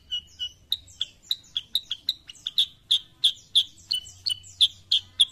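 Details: Kutilang sutra, the sooty-headed bulbul, in song: crisp clipped chirps repeated steadily about three times a second, each with a bright ticking top note, over a faint low hum.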